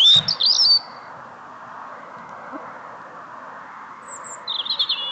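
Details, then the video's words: Bird welcoming someone after work: a swooping, high warbled phrase at the start, a steady murmur of background noise, then a fresh burst of quick, jittery notes at the end. "Bird singing"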